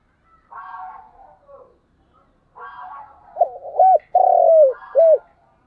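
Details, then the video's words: A decoy spotted dove coos at morning to call wild doves nearer: after rough buzzy sounds comes one phrase of quick stuttered coos, a long drawn-out falling coo and a short last note. "Cu gáy mồi gáy gọi buổi sáng"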